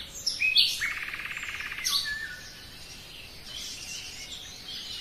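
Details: A forest common nightingale gives a few high sweeping notes, then a rapid buzzy trill of repeated pulses. Softer distant chirping follows as the phrase fades.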